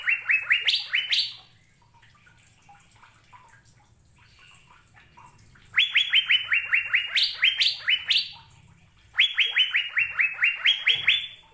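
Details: Asian fairy-bluebird uttering three bursts of quick rising whistled notes, the notes climbing in pitch within each series, with quiet gaps and a faint low hum between bursts.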